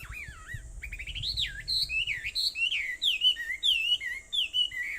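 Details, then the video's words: Bird song on Aobayama, Sendai, at 4:30 in the morning, 21 July 2014: a rich, varied warble of swooping whistled notes that bend up and down, delivered in quick succession, with faint low rumble early on. "Sound of Birds on Aobayama, Sendai, 2014.7.21 (4:30)"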